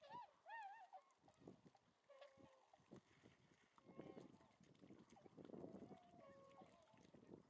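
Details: Tundra swans at Lake Biwa's western shore, 27 February 2020: two loud, wavering, trumpet-like calls open the clip, followed by several flatter hoots amid steady low rumbling and splashing.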